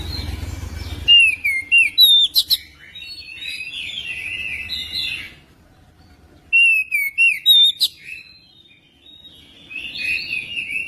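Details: Magpie-robin singing vigorously, played to prompt other magpie-robins to sing. Two rapid series of loud, clear whistles and falling slurs, each followed by softer warbling, with a quiet gap between them.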